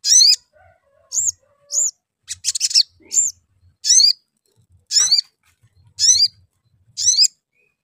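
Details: Sooty-headed bulbul calls used as a lure to prompt other bulbuls to sing: short, high chirping notes about one per second, with a harsher rattling burst midway, over faint low thumps.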